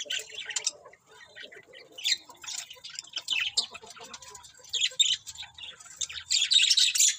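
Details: Budgies chirping together, a busy warble of raspy high chirps and squeaks in short bursts, rising to a loud, dense flurry at the end.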